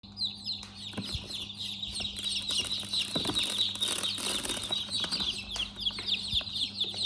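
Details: Chicks in a chick house, a dense chorus of high peeps, many overlapping and falling in pitch, with rustling and scratching noises and a steady low hum underneath.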